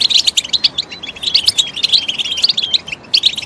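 A goldfinch sings a fast, unbroken stream of high, liquid twitters and tinkling trills, with short buzzy notes mixed in; nothing else is heard.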